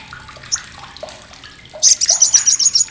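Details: Soft twittering and watery background give way to a sudden shrill, fast-pulsed trill from an olive-backed sunbird, a loud, rough chatter used as tutor material for competition birds.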